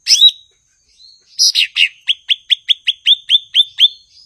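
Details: Blue-winged leafbird song opening with a swooping whistle and harsh chatter, then a run of about eleven clipped, identical downslurred chips repeated rapidly and evenly.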